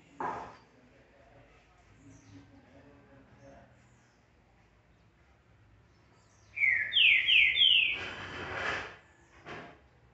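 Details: Green-winged Saltator (trinca-ferro) singing in its cage since early morning after molt, marking territory: a short phrase of three or four loud slurred whistles late on, after a quiet stretch with a low hum, framed by clicks and a knock.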